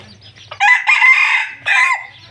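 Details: Red junglefowl, a beautiful captive bird kept for breeding, gives one short, hoarse crow: a loud strained phrase, a brief break, then a clipped falling ending, over a faint low hum.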